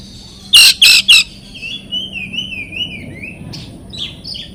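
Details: Oriental magpie-robin song meant to coax silent or stressed birds to answer: three loud harsh rasping bursts, then a thin wavering high whistle trailing off, over a faint background hum.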